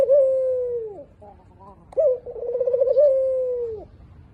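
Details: Low cooing of a spotted dove: a long, level hooted note that sags at the finish, a quieter pause, then a trilled, pulsing coo that runs into another sustained, falling note.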